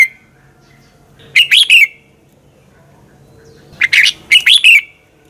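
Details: Morning fighting song of a red-whiskered bulbul, a lure recording for training birds: two bursts of quick, clear, warbled notes, the second phrase longer and split in two, over a quiet low hum.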